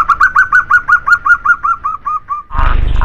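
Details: Local zebra dove song, used to stir quiet doves into singing: a clear run of about thirteen evenly spaced, rounded coo notes that slowly soften and drop, ending in a burst of rough noise.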